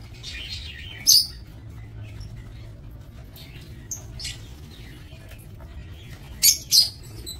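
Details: Breeding lovebirds in an aviary cage, 22 November 2024: a few sharp, piercing chirps stand out, one early and a close pair near the end, between faint high twittering and steady low hum.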